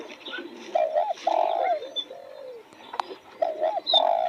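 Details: Cooing spotted dove among fresh roses: low mellow hoots in a broken phrase, a short double note before a long sustained coo, repeated near the end. Softer coos from other doves and a sharp click are in the background.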